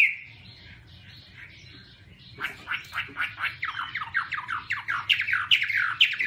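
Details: Chinese hwamei singing while waving its wings: a soft low warble at first, then from about two seconds a loud run of rapid descending slurred whistles repeated about twice a second, with a faint low hum beneath.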